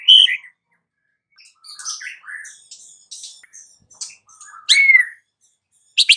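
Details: White-rumped shama afternoon lure song to rouse silent shamas: a loud whistled opening, scattered soft high twitters and chips, then a strong buzzy slurred phrase and a final sharp burst.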